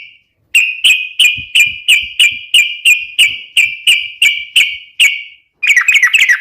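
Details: Sooty-headed bulbul song meant for luring and training other birds: a long series of ringing, evenly spaced chirps, roughly three per second, with faint low ticks, ending in a quick jumbled burst.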